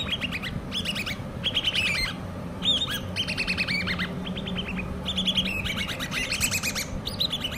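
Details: Common babbler chicks, hand-reared, giving bursts of quick downslurred chirps in clusters, pausing between groups, several birds overlapping, with a steady low hum underneath.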